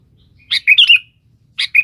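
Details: Sooty-headed bulbul in full song calling a rival, used as a lure: a rich bubbly phrase of slurred whistled notes, then the start of another.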